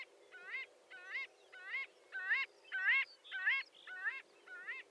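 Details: Marbled godwit producing a regular series of upswept nasal calls about every half second, growing louder mid-sequence then fading, over steady background noise.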